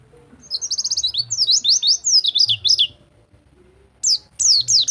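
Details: White-eye singing in the rol tembak style, used as a tutor recording for white-eyes that have stopped singing: rapid high, thin, downslurred whistled notes in fast bursts, a pause near three seconds, then more sharp descending notes.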